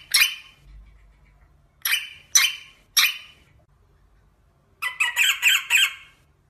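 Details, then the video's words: Rosella with several sharp, separate squeaky chips, followed by a quick, pulsed chattering phrase of about five notes near the end; a low hum underneath. "SONG ROSELLA تغريد طائر الروزيلا الجميل"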